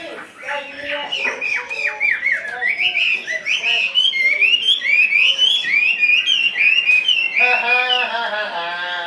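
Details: Caged Chinese hwamei singing a lively, accelerating series of short whistled notes that climb in pitch, rapidly repeated about four per second, finishing with rich, buzzy warbles.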